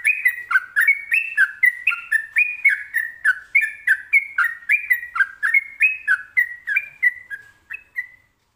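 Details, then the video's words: Rapid, rolling "ropelan" song of a sooty-headed bulbul, about three and a half bright two-note whistles per second in a steady chain that slows and fades at the end. "Trucukan ropelan"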